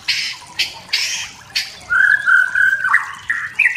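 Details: Forest-dwelling wild white-rumped shama singing to provoke rivals: repeated short harsh rasps at first, followed by a steady, sustained whistle that climbs toward the end.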